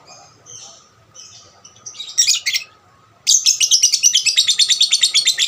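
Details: Lovebird lure song meant to stimulate other lovebirds: soft, thin chirps at first, a couple of loud scratchy bursts, then a fast, continuous chatter of harsh high notes.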